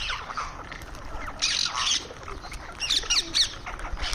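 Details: Indian ringneck parrot calling while eating: a loud, harsh, drawn-out squawk, then a quick run of sharp chattering notes, with a faint low background rumble.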